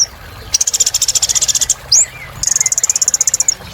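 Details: Lively sunbird song played as therapy for caged birds that have stopped singing: two long, rapid, buzzy high trills separated by a single sweeping upslurred note.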